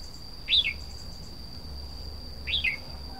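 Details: Two clear bulbul phrases two seconds apart, each a rapid upswept then descending whistle, from a red-whiskered bulbul; a steady high electronic hum runs underneath.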